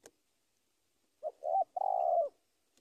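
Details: Spotted dove giving its call to a rival, a single phrase of a clipped coo, a rising hooted note and a long burry drawn-out final coo, after a quiet pause.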